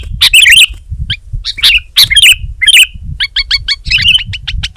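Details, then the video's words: Sooty-headed bulbul singing energetically in Indonesia: rich gurgling, twisting phrases alternate with sharp chips, ending in a quick run of short, evenly spaced ticking notes. Low-pitched background rumble throughout. "Suara Burung Kutilang Gacor"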